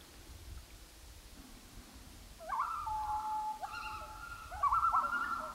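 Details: Common loon on Gavia Lake in 2011, calling over calm open water: a long, clear, wavering wail held near one pitch, breaking upward into a higher sustained note, with a quiet low background rumble.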